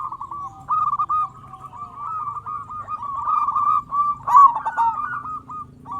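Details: Zebra dove of local stock singing hard, intended to rouse lazy doves: a long, continuous string of quick, wavering coos that builds to a sharp, louder roll near the end.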